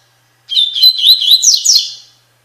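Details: Double-collared seedeater singing the Tui Tui Fibra song style, a training recording for captive birds: a two-second phrase of rapid whistled and slurred notes, wavering high, ending in brighter upslurred notes.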